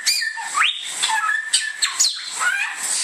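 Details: Bare-throated whistler, native to Indonesia and locally named samyong, gives a short phrase: a rising whistle into a held note, then harsher squawky chips and falling slurs.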